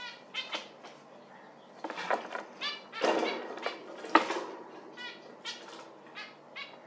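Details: Zebra finch calling busily: many short nasal notes, some overlapping, with occasional rustling thumps.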